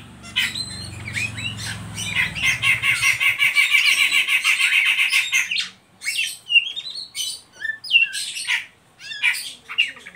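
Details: An Oriental magpie-robin (kacer) gives a fast, buzzy chatter of rapid high notes, then clear whistled phrases rising and falling, with a low hum at the start, used as a lure for young untrained birds.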